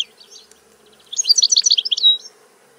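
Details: Short burst of European goldfinch song: a quick, dense run of high tinkling, buzzy notes lasting about a second after faint opening chirps.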